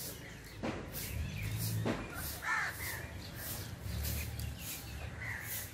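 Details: Rufous treepie singing loudly in the jungle: a few harsh, caw-like calls and short rasping notes over a steady low rumble of background noise.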